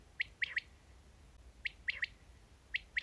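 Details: Quail call used to draw birds into nets, heard as short, sharp triple-note phrases spaced about a second apart against faint low rumbling noise.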